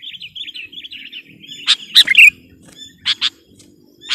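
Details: Sooty-headed bulbul singing competition-style to dominate rivals, opening with a run of quick, rippling warbled notes, then a few sharp, loud chipping bursts spaced irregularly; faint low hum underneath.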